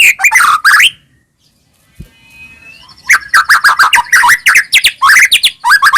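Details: Lure song of a white-rumped shama of the Medan type for caged birds: a rich opening phrase, a quiet pause with one faint rising whistle, then rapid loud varied chattering and whistled notes.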